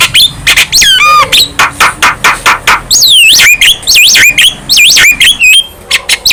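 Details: Song of a young Javan myna in full voice: a rattling series of notes, then harsh strokes and loud swooping whistles that dip and rise in quick succession.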